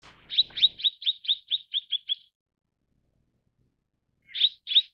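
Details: Mrs. Gould's sunbird calling a fast run of about eleven high, clipped chirps over two seconds, slightly descending, then a pause and two more chirps; a brief low rustle at the start.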